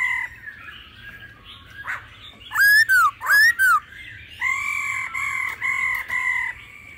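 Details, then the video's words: Old forest style laughingthrush song with female calls: a quiet opening, two loud arching whistles with harsh edges, then four level, sustained whistled notes in steady succession. "Khứu hót giọng già rừng kèm tiếng mái"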